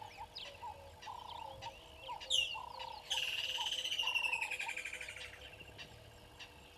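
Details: Water thick-knee at Gowrie dam waterhole, Djuma Game Reserve, Sabi Sand Wildtuin, South Africa, morning of 25 December 2021, live waterhole camera: a high whistle, then a long rapid piping series sliding slowly downward and fading, over a steady chorus of lower repeated notes.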